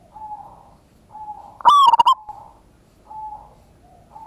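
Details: Lure recording of a local zebra dove meant to trigger a quick reply: one loud, rough rolling burst in the middle, framed by soft, level cooing tones before and after.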